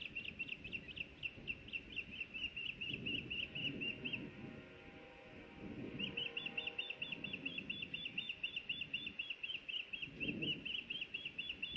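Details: At a Montana osprey nest in Hellgate Canyon, Missoula, on May 26, 2024, as a fish arrives: two long runs of quick, high, whistled chirps with a short pause between, against a low murmur of background noise.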